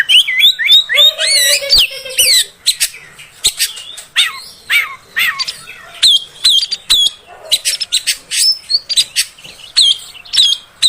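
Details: Female oriental magpie-robin sound played to make males agitated: fast jumbled whistles, harsh scratchy notes and sharp clicks, with bright slurred phrases repeated at irregular intervals.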